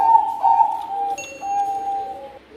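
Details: Bangkok zebra dove, a champion singer, with softer, smoother drawn-out cooing notes that hold a steady mid pitch and have a slight dip between them. A faint thin whistle is heard partway through.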